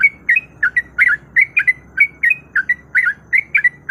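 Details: Female sooty-headed bulbul in breeding condition calling a male: a brisk run of short, bright, slurred chirps, several per second, each note dipping or rising, over a faint low hum.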